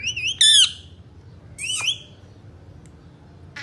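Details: Indian ringneck parakeets, three kept parrots, producing a wavering whistle followed by two harsh, buzzy squawks, then near silence.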